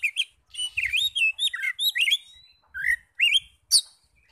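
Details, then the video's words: Provoking lure song of an Oriental magpie-robin: fluid, wavering whistled phrases and twisting slurs in a fast sequence, then a few separated sharp notes, with faint low rumbling beneath. "PANCINGAN NAIKAN EMOSI KACER 100% IKUT NYAUT NGEPLONG"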